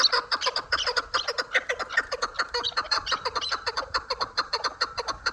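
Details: Hybrid and local chukar partridges giving a steady, fast run of sharp clucking notes, about two to three per second, with several birds overlapping in a rhythmic chorus.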